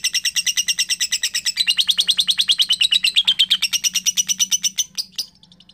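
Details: A young lovebird in long chatter, a quick train of gritty repeated notes that rises a little, runs on steadily, then ends in a few sharp squeaks.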